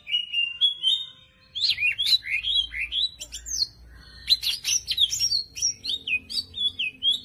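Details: Champion greater green leafbird giving a full isian training song: a varied run of clear whistled and slurred notes, rising and falling, with rapid chattering phrases in the second half over a faint low hum.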